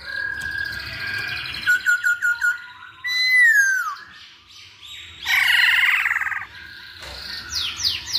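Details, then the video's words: Chinese hwamei lure song, highly varied: steady whistles, a quick run of repeated short notes, a loud descending slurred whistle, a harsh buzzy rattle, and rising squeaky notes at the end. "Pancingan Poksay Hongkong Paling Ampuh"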